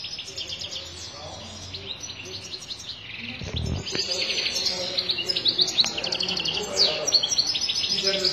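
A European goldfinch sings a fast, tinkling, liquid twitter of high notes and buzzy trills that runs on without pause, with a brief low thump midway.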